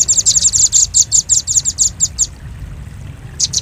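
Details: Velvet-fronted nuthatch on a luring track: a rapid burst of shrill, sharp chips lasting about two seconds, a silence, then two more lone chips.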